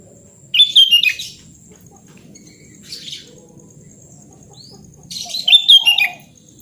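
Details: A sooty-headed bulbul sings energetically in its own voice, offered as therapy for a bird gone quiet: a loud liquid whistled phrase, a soft brief chirp, then another strong bubbling phrase, over a quiet hum.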